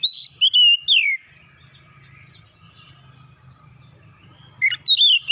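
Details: Oriental magpie-robin, gacor song for therapy: a few loud downslurred whistles at the start, a long quiet gap with faint background murmur, then sharp whistled notes return near the end.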